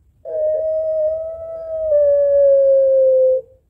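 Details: Long-cooing Barbary dove, puter pelung style, calling against a rival with one smooth, steady drawn-out tone held for about three seconds, dipping slightly at the end.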